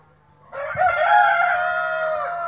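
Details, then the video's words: White splash Brahma rooster giving a loud crow that starts abruptly with a short broken rise, then stretches into a long, steady, harmonically rich note over a low hum. "white splash brahma rooster crowning"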